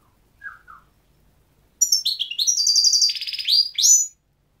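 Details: Goldfinch: two soft descending notes, then a sustained outpouring of high, tinkling twitters and scratchy buzzing trills lasting over two seconds, ending abruptly.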